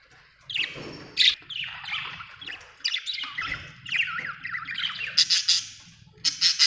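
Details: Budgerigar, an Australian bird, chirping steadily: a continuous run of high warbling, wavering chirps and squeaky notes, ending with bursts of sharp rapid clicks, over a faint low hum.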